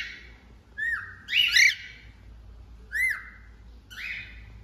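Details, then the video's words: Cockatiel sounds: a few sliding whistled notes rising then falling, with harsher squawk-like notes mixed in, given in separate bursts over a faint background hum. "Calopsita Cantando"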